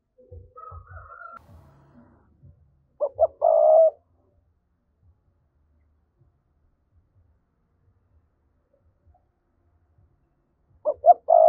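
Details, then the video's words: Spotted dove coo in the 'thúc' style, used as a lure to stir up wild doves: a three-part phrase of two quick notes and a drawn-out hoot, repeated after about eight seconds of quiet, with soft low thuds early on. "Giọng cu gáy thúc hay, anh em mở lên kích bổi rất hiệu quả"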